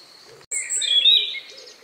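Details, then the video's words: Among the last birds singing before night in the countryside, around 9 p.m. on 2 May 2020: after a brief silent gap, a loud, bright, high-pitched warbling phrase bursts out and trails off. "relax sound of bird in the evening"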